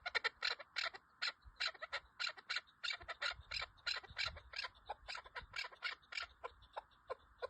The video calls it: Keklik Sesi Sound Chakor k awaz